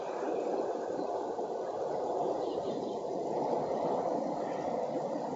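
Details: Dense, even rushing noise in the low and middle range, like wind or distant traffic, continuing throughout; no animal calls.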